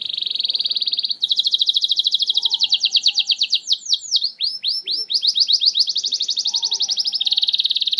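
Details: Canary song played as a lure to get silent canaries singing: a steady buzzy trill, then rapid repeated notes and sweeping downslurred chops, returning to a high even trill, with a soft low whistle now and then.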